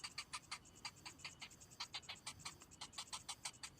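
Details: Hungry cinnamon bittern chick whose parent has brought no food gives a fast series of dry, harsh clicking notes, about four or five a second. A thin high insect trill runs underneath.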